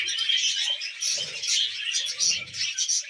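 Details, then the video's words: Tamed budgie giving happy sounds: loud, continuous chirpy warbling packed with quick squeaks and twitters, with soft low murmurs underneath. "Happy Budgie Sounds"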